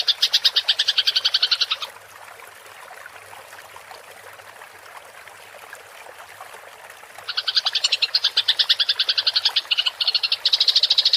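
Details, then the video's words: Rolling fighting chatter of a Eurasian tree sparrow, recorded for songbird tutoring: a two-second burst of rapid chirps, a pause of about five seconds with soft trickling water, then the fast chatter resumes for four seconds. "MASTERAN GEREJA TARUNG NGEROL suara jernih + jeda air"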